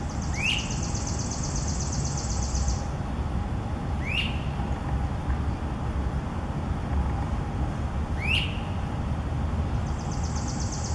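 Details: In St. Louis, Missouri, on June 28, 2018, a great crested flycatcher whose pair is feeding young in a nest cavity gives three loud, sharply rising whistled wheeep calls about four seconds apart, over a steady traffic rumble and a buzzy insect-like trill.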